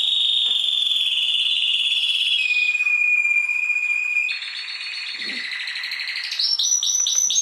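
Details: Caged canary giving a rolling song, kept as training song for other birds: long buzzy high trills, then a pure sustained whistle, then faster rolled trills and rapid repeated upslurred notes.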